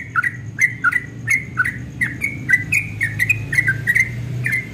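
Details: Yellow-vented bulbul delivering fast ropel-style song at dawn. It is a steady run of short, bright chirps, some rising and some dropping, spaced about three per second, with a soft low hum underneath.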